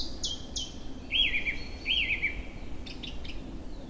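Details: In April, freshly arrived birds sing in forest and meadow by a swollen spring river. Two high falling whistles are followed by two wavering, warbled phrases and a short burst of faint chips, set against a low rushing hum.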